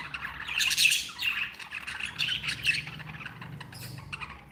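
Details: Several pet budgerigars described as happy, chattering in a dense mix of squawks and chirps centred high up, with a steady low hum underneath.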